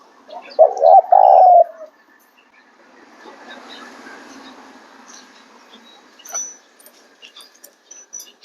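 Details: Spotted dove coo phrase of a short wavering note and a longer hoot near the start, followed by several seconds of low rumbling background noise.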